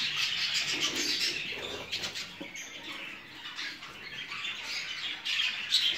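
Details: Breeding stock of show jumbo budgerigars: a chorus of scratchy chirps and warbles, louder at the start and end, softer in the middle, with scattered squawks.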